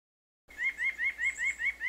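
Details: White-breasted Nuthatch, a common feeder bird in Wisconsin, giving a quick series of nasal, rising notes, about five per second, with no other sounds.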